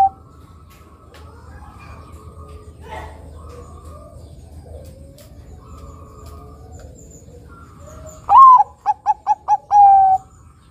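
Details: Bangkok-type zebra dove, singing actively as a lure for other doves: faint murmuring and distant tones for several seconds, then a loud phrase of a swelling coo, rapid clipped coos and a long closing note.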